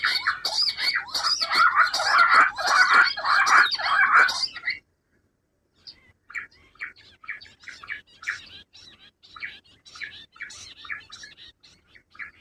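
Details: Rock bush quail calls used as a hunting lure: dense, loud, rhythmic chattering notes for about five seconds, a brief silence, then quieter short chips repeated irregularly.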